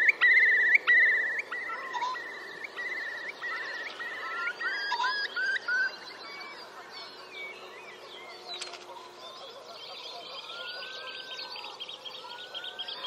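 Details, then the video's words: Late April 2021 beside Tindale Tarn, Geltsdale: a displaying male Eurasian curlew gives a fast bubbling trill of repeated whistled notes that fades after a few seconds, leaving a chorus of other birds calling. "Curlew song"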